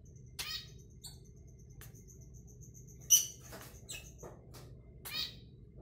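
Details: A sick Eclectus parrot with a cough or respiratory illness gives short, harsh cough-like bursts with thin squeaky edges, about six in six seconds at uneven intervals, over a faint low hum.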